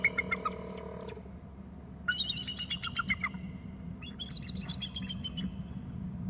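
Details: Eagle calling at 13:16 from a perch, apparently two birds together with a third elsewhere: three bursts of rapid, high, yelping notes stacked in harmonics, each burst about a second long, over a low steady hum.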